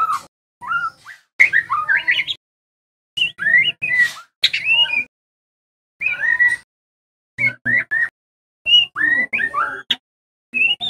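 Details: White-rumped shama lure song for training juvenile birds; varied bursts of whistles, squawky notes and quick slurred phrases, rising and falling, with short silences between groups.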